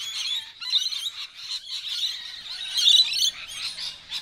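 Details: Rainbow lorikeets fighting and squabbling during a feeding frenzy in suburban Melbourne: a dense, overlapping chorus of harsh, shrill screeches and chattering calls from many birds, with louder bursts of screeching.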